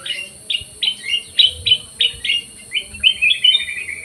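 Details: Black-crested bulbul singing persistently in an aviary: a fast series of bright, clipped chirps about three to four per second, ending in a slightly longer warbled flourish.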